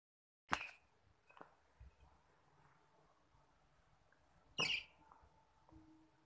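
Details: A baby lovebird gives two short, shrill, harsh chirps about four seconds apart, with faint clicks and rustling between them.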